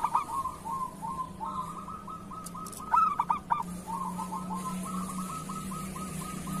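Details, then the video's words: Local zebra dove singing in the kerot style, used as a master recording for training other doves: runs of short, rolling cooing notes in even series, with a louder burst of clipped notes near the middle, over a steady low hum. "Suara perkutut lokal masteran perkutut kerot"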